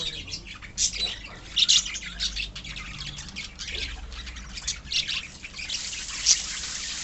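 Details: High, twittering chatter from a colony of budgerigars, with scattered sharp chirps standing out above the constant flock noise.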